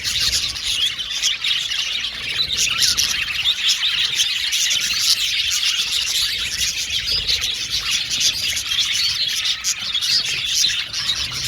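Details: Continuous budgerigar chatter from an aviary colony of male blue and violet birds: many voices warble, tweet and squeak together in a dense, even, high-pitched stream lasting the whole stretch.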